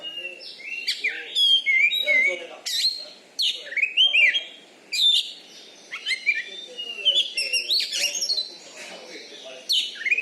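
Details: Oriental magpie-robin, a caged champion contest bird from Bengkulu, Indonesia, noted for its loud volume, delivers a dense, varied stream of bright whistles, slurred upward notes and harsh chattering phrases with only brief gaps.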